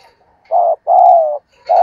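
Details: Spotted dove cooing to stimulate and lure other doves; two loud, steady, deep hooting notes, the second longer and slightly falling, with another coo beginning at the very end.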